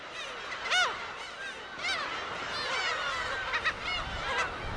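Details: Black-tailed Gull breeding colony on Dokdo island in May, thousands of birds holding tiny territories, gives overlapping nasal mewing calls bending up and down, several voices at once, over a steady hiss of wind or surf.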